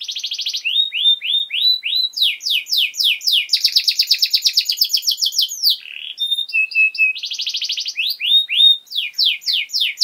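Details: ['Lively, long-lasting canary master song meant for training young birds: a buzzy trill opens, then slurred whistles repeated about twice a second, a dense rolling rattle, short clipped low notes, and more rapid downswept trills.']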